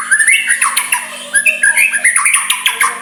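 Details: Soft song of a white-rumped shama, sung to stir a rival into answering: quick run of short whistled and chattering notes, rising and falling, over a low steady hum.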